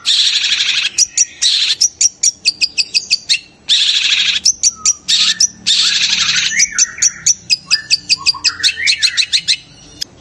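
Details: Long-tailed shrike delivering a sound said to stir other shrikes into excitement and immediate singing; a dense, continuous stream of harsh, buzzy, high chattering phrases mixed with sharp clicks and short notes, barely pausing throughout.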